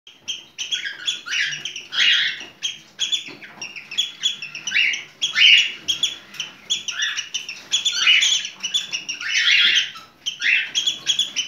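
A cockatiel gives a steady stream of bright, scratchy chirps and whistles as a mating call.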